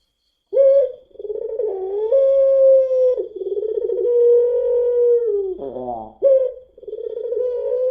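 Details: Caged puter pelung dove, a long-voiced variety, used as a lure to set other doves singing. It gives long, steady, slightly wavering coos, each held for one to two seconds, broken by short rough, cough-like notes.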